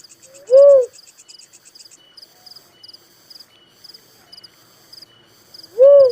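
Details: Little cuckoo-dove calling with two full, arched hoot-like coos at the start and end, separated by a quiet stretch filled with high rhythmic insect chirping.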